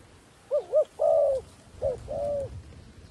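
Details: Wild doves are lured to a snare by a decoy dove calling; faint low coos, two quick wavering notes then a longer level note, repeated once, over a soft rumbling background.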